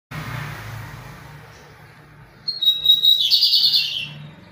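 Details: Lined seedeater singing strongly in the pirata style: after a low background hum, a clear high whistled note is held, then breaks into a loud buzzy, rapidly trilled phrase lasting about a second.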